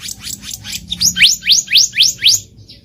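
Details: Black-naped monarch calling in the wild, a lure recording: a brisk series of clear, rising whistled notes, about four each second, growing louder before a soft end.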